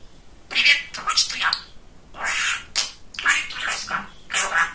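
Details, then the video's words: A male pet budgerigar, a very talkative talking bird, chatters in rapid, raspy, high-pitched bursts of mimicked speech, several phrases running together over a few seconds in a quiet room. "Самый Болтливый Попугайчик"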